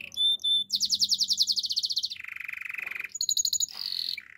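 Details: Canary song opens with two pure high whistles, then moves through a rapid pulsing trill, a lower rolling rattle, a brief high tour and a buzzy ending.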